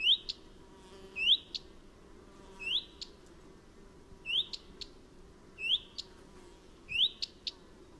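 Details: A common redstart gives a steady series of upslurred whistles, each paired with crisp tick notes, repeated every second or so for several seconds against faint background noise.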